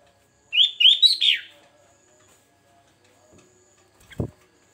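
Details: Varied song of a sooty-headed bulbul, used as a lure for catching birds. One quick phrase of three or four rich, fluty notes with downward sweeps, then quiet, and a single dull low knock near the end.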